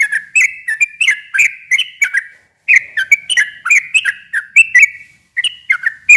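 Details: Sooty-headed bulbul singing a long, fast song to provoke a quiet bird into answering. Chattering runs of bubbly whistled notes are broken by two short pauses.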